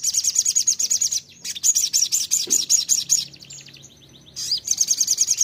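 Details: Ruby-cheeked sunbird, called sogon, singing a lure phrase intended to make another sogon sing: rapid, very high chattering trills, a short lull with a faint sliding whistle, then the quick trill again.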